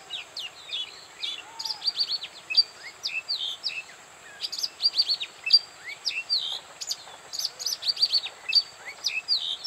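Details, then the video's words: Oriental magpie-robin singing at Bada, North 24 Parganas: a busy stream of high, sharp whistles, slurred chips and short rising and falling notes at varied pitches, with a steady high hiss in the background. "Oriental Magpic Robin Singing."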